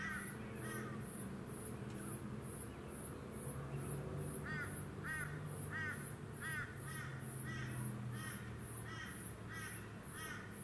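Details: Stormbird, a male Eastern Koel, recorded on the Sunshine Coast, Queensland, in February 2020, calls with a couple of notes early, then a run of about seven repeated downslurred whistles, over continuous pulsed high buzzing and a low hum.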